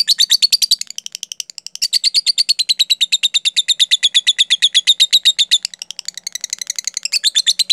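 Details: Lovebird song in the 'jeda rapat' (close-gap) style, played to stimulate lovebirds to learn it: an unbroken stream of sharp, high chirps, roughly seven per second, with a brief break near two seconds.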